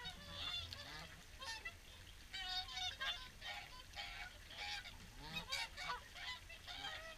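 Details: Evening feed for swans at WWT Caerlaverock: a dense chorus of bugling honks from many birds, strong harmonic calls overlapping steadily throughout.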